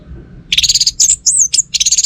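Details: Orange-headed thrush, a kept bird from northern Bali, delivers high buzzy trills mixed with slurred whistles that sweep up and down, very fast and continuous.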